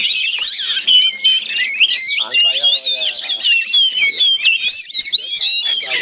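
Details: Two caged Oriental magpie-robins fighting each other through connected Chinese-style cages, pouring out dense, rapid, high whistled phrases and sharp chirps that overlap without pause, with human voices murmuring in the background midway.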